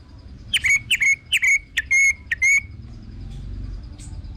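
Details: Orange-headed thrush repeating a lower, clear whistled note about six times, each with a short sharp onset, in a steady series lasting around two seconds.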